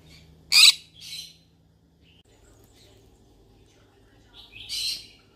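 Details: Yellow-sided conure calling while looking for friends to talk to: a loud, harsh, broadband squawk, a softer second squawk just after, then a quiet gap before a final rasping squawk with a short lead-in note.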